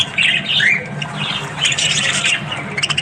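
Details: Australian budgies in the morning give quick warbled trills and a bright rising whistle, then harsher clicking chatter, several birds calling over a low steady hum.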